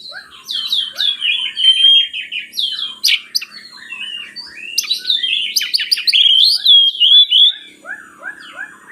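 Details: Oriental magpie-robin singing, played to lure lazy birds into singing: a dense, fast run of varied whistles, chips and sharp downslurred notes, rich and continuous, with rapid clicks and slurred phrases repeated about three per second.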